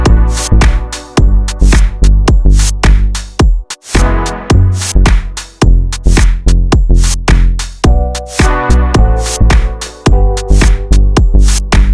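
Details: Steady electronic dance music with a thumping drum-machine beat and bass; no animal voices can be heard.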